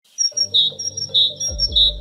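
A tit repeats a two-note phrase, a thin high note then a lower clear whistle, three times in two seconds over quiet background music.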